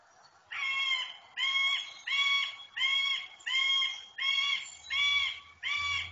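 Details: A Middle Spotted Woodpecker in the mating season, in the old deciduous Cîteaux forest in France, sings a slow series of eight very loud, nasal, drawn-out whining notes, about 0.8 seconds apart, with a faint low rumble near the end.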